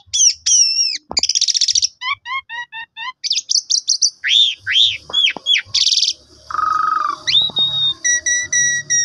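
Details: Asian pied starling singing a varied lure song meant to spur other starlings into full song: sharp whistles, buzzy trills, a string of falling notes, and steady pure tones in rapid, continuous delivery.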